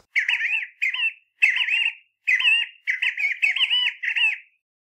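Namaqua Sandgrouse giving a series of seven short, nasal, warbling calls, each about half a second long, in quick succession with no other sounds.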